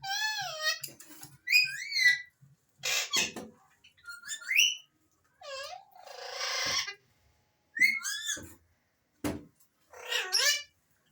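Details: Alexandrine parakeets run through many different whistles, including rising sweeps, wavering slurs and buzzy harsh bursts, delivered in quick irregular succession over about eleven seconds.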